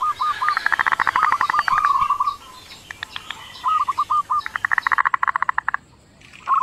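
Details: Local zebra dove, a tutor recording used as a lure so other doves answer. Hooked cooing notes near one pitch open each phrase, then a fast run of clipped pulses, twice over.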